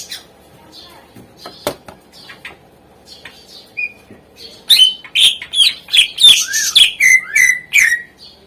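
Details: Greater green leafbird tutor song to coax lazy birds to sing: quiet scattered clicks at first, then a loud, lively run of rapid chirps and slurred whistles that drop in pitch near the end.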